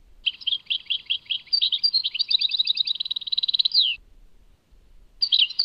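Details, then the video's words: European goldfinch, Tadmait song: bright chirping phrases building into a dense rapid trill that ends in an upswept note, then silence and a fresh burst of twittering near the end. "Chant chardonneret Tadmait"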